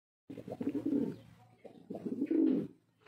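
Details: Male pigeon cooing indoors: two low, throaty, rolling coo bouts, each close to a second long, separated by a short pause.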